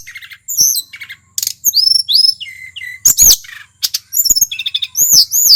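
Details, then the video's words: Mount Merapi tledekan, a wild local male, delivering energetic song: buzzy low trills, clear falling whistles and high arching chirps repeated in quick bursts. "Suara asli tledekan gunung merapi FULL GACOR"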